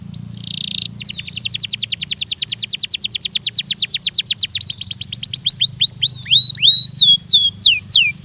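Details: Belgian canary singing in a training recording: a short buzz, then a long trill that slows and grows louder before breaking into looping, sweeping whistles.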